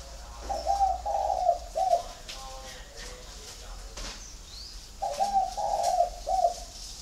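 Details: Spotted doves, part of a home flock in Ba Vì, Hanoi, Vietnam, coo twice in matching phrases of three husky notes, a sharp tap between them and faint chirps behind.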